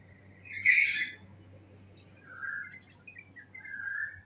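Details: Bird producing one loud, harsh, buzzy call, followed by several softer short whistled and chattering notes, over a low background hum.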